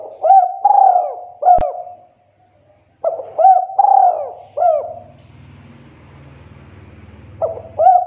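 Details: Spotted dove, "kuk 2" style, clear and full-toned, recorded for training caged birds and luring wild ones: repeated phrases of hollow coos with rising and falling hoots, one sharp click, then a low rumbling noise under the final coos.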